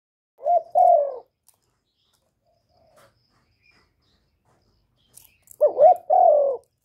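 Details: Spotted dove used as a decoy bird, recorded directly without background noise to stimulate other kept doves to call; two-part coos, a short rising note then a longer falling one, heard twice several seconds apart in silence.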